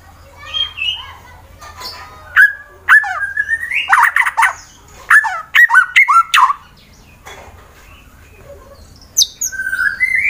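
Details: White-rumped shama from Wonosobo, Central Java, Indonesia, a fighter bird used to goad rivals into song: varied whistled phrases with sharp clicks and slurred rising notes, a quiet gap, then a final upward whistle.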